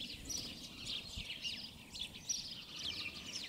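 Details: House sparrows in a beech hedge full of them at de Donk in the Alblasserwaard chirp in a busy, overlapping chatter of short, high notes over a low background rumble.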